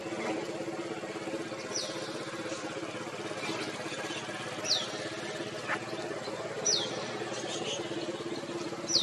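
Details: A male crimson sunbird gives thin, sharp, high notes that slide downward, spaced a couple of seconds apart, over a steady low rumble of distant traffic.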